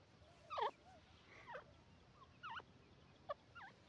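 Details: Female grey francolin calling: a series of sharp, downslurred notes, the first loudest, then softer ones spaced roughly one second apart, over a faint steady background hiss.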